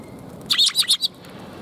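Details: Sparrows at a Tenmangu shrine, 2 March 2021: a quick series of four bright, high chirps in under a second, then quiet background.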